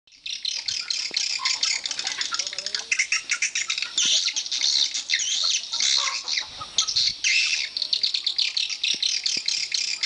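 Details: Swiftlets at a swiftlet house: a dense, continuous chorus of high twittering and clicking chirps from many birds calling over one another, with brief louder bursts throughout.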